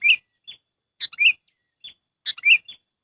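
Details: Lure call of a sooty-headed bulbul used in trapping: three bubbly warbled phrases, each followed by a short thin whistle, repeated about every 1.2 seconds in silence.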